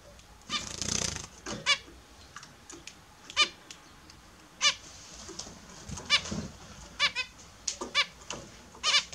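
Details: Captive Australian zebra finches bathing in the morning; frequent short nasal honking calls with stacked harmonics, every half second to second, mixed with water splashing and faint background hum.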